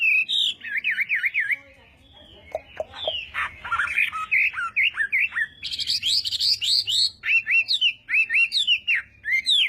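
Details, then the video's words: Chinese hwamei delivering fighting-style morning song for voice training, with looping clear whistles, a short lull, then a rich, varied stream of slurred and buzzy notes and repeated bright phrases. "Hoạ Mi Hót Đấu /hoạ mi hót sáng luyện giọng kich bổi sổ giọng"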